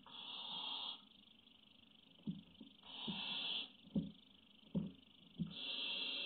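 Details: Barn owl (Tyto alba) chick on a nest webcam, 3 May 2017, waiting for food and begging with long, harsh, snoring hisses of about a second each, repeated every few seconds, with soft knocks and shuffles between.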